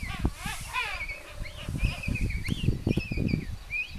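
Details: King penguin calls from the King Penguin reserve in Tierra del Fuego, Chile, in April 2021, as a mother feeds her baby chick: harmonic trumpeting notes early on, then thin whistles rising and falling over heavy wind rumble.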